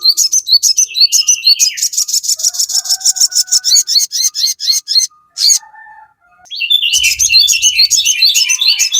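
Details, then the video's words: Crested jay in a long, fast chattering series of high sharp notes, with softer thin whistled tones underneath. After a brief pause a dense burst of chattering resumes over a faint low rumble. "sogon GACOR FULL KICAU"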